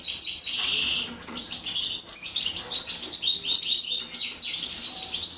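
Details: European goldfinch female feeding her chicks; dense, rapid high twittering and buzzy chirps from the nestlings, with bursts of hissing noise between sharp repeated notes.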